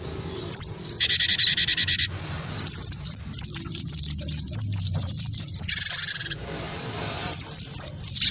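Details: Wingko-type cinereous tit, goaded by a white-eye into fighting-style song, gives long series of sharp, high, down-slurred whistles repeated several per second, with two dense buzzy rasps between runs.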